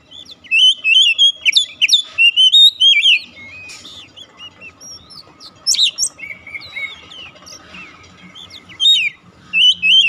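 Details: Oriental magpie-robin song played to bring a silent bird into song: a rich, varied stream of quick whistles, trills and sliding notes in bursts, separated by quieter pauses with faint chatter, in a quiet setting.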